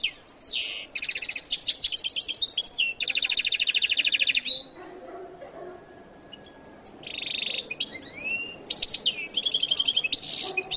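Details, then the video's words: Goldfinch, locally jilguero latino, delivering an energetic song of scratchy trills, long buzzing rattles and rising whistled notes, interrupted by a silent pause mid-recording before resuming with looping slurs. "canto de jilguero latino"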